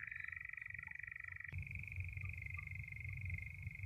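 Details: A European nightjar churrs nearby on open heathland in the New Forest on a summer evening at sunset: a steady, unbroken mechanical trill barely shifting in pitch, with low rumbling wind or handling noise underneath.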